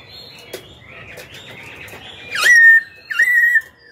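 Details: Black-throated Laughingthrush singing to provoke rival birds and train young ones. Soft murmuring warble, then two loud, long, clear whistles, each starting with a quick sweep and holding steady.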